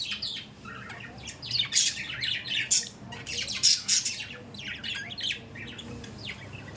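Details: Budgies in lively chatter, with high, buzzy chirps and squeaky squawks repeated about four times a second in uneven clusters. No other sounds are clear.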